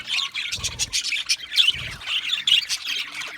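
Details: Budgies squawking and chirping in raspy bursts, some notes whistled and pure, with two short low thuds in the background.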